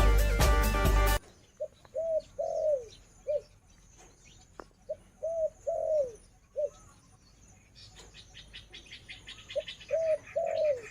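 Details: Female spotted dove kept as a decoy bird, calling from a farm: after a second of music, low soft coos come in short groups of three or four notes, the longer notes falling at the end, with faint chirps behind.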